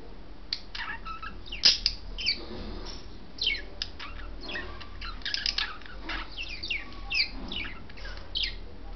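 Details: A pair of pet budgerigars, white male and blue female, calling while mating: quick scratchy chirps and chattering bursts, irregular and fairly faint over a steady low hum indoors.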